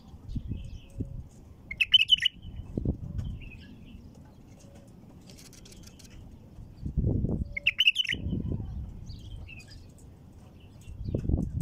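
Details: Female bulbul singing to get other bulbuls singing: two short bubbling, warbled phrases about six seconds apart over steady low rumbling noise with occasional thumps.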